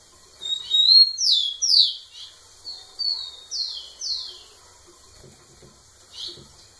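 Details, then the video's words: A male rufous-collared sparrow sings intensely to a female: a quick run of clear, high whistled notes, each slurring downward, then a last note after a pause, with faint soft knocks underneath. "Tico tico cantando muito na cara da fêmea"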